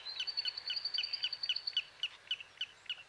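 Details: Black-necked stilt uttering quick, high, sharp notes repeated roughly three times per second, with a thin continuous high whine running underneath for the first half.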